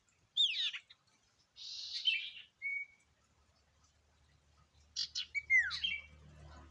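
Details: Lure recording of sirtu (common iora) song: a dropping whistled note, a buzzy warbled phrase, a short flat whistle, then quick chirps closing with a downward-sliding whistle.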